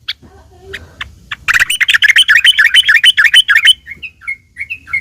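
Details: Yellow-vented bulbul singing aggressively as a lure to trigger replies from other bulbuls; a few spaced ticking notes lead into a loud, rapid burst of harsh chatter, then trailing softer whistled notes.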